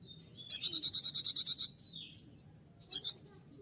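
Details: Aroused konin reacting to a female gives a quick burst of about eleven sharp, high buzzy notes, then soft thin whistles and a short two-note echo of the trill.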